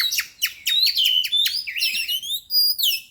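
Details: Kacer, the white-rumped shama, in full lure song: rapid series of sharp downward-sweeping notes, then long clear whistles and warbled phrases climbing high, continuous and loud throughout.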